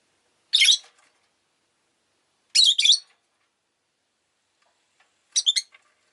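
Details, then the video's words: Rosy-faced lovebirds kept as pets, chirping a lot that day, give three bursts of harsh, high, doubled chirps about two seconds apart, with quiet between the bursts. "Lovebird Chirping Sounds"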